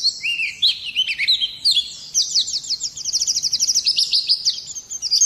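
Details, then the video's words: Oriental white-eye giving a few lower sweeping notes, then a bright, rapid, evenly repeated string of high chips and twitters. "kicau burung Pleci"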